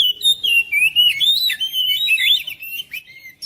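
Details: Oriental magpie-robin song played to coax a quiet magpie-robin into singing and liven up a home: a continuous run of varied, sliding whistled notes, rising and falling, with sharp chirps in between.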